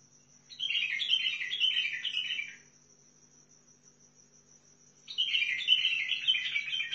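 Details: A Basra bulbul (Fao bulbul) gives two bursts of bright, chattering warbles, each about two seconds long and a few seconds apart, over a steady high whine and faint low hum.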